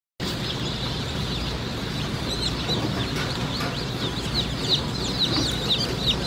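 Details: Black Sex Link chicks in a crowded hatchery, solid black females and white-spotted males together. Many high, thin downslurred peeps overlap continuously above a steady low machinery hum.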